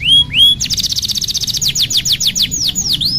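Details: Canary song for training young canaries: two rising whistles open into a rapid rattling trill, slowing into separate downslurred notes and ending with a swooping whistle.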